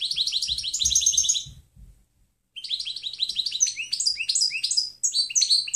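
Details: European goldfinch, 'canto limpio' style, played to train other birds: a dense tinkling twitter, a short pause, then a longer varied phrase of quick chirps and buzzy trills, with a faint low hum underneath.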